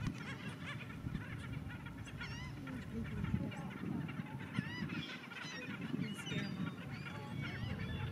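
A dense flock chorus of Black Skimmers giving short, nasal, yapping barks in rapid overlapping bursts, over a steady low rumble of wind and surf.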